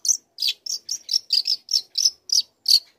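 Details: Quick series of about ten sharp, high chirps from a young long-tailed shrike in steady song, practising material meant to goad other shrikes into singing.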